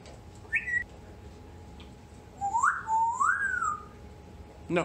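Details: Female African grey parrot kept as a pet, resisting bedtime on New Year's Eve, gives a brief high whistle, then two longer swooping whistles that rise and fall, ending with a sharp squawk-like note indoors.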